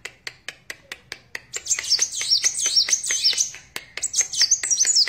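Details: Kolibri wulung sunbird singing energetically: a run of sharp, evenly spaced ticking notes gives way to fast, high, twittering warbles with looping whistled phrases, ending in a brief pause and more shrill twitters.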